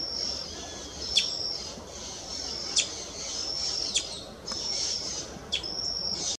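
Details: Brazilian tanager recorded 3 June 2024 at Restinga do Guaraú municipal park, São Paulo, Brazil: four short, sharp chip notes spaced about a second or more apart, over a steady high, buzzing insect chorus.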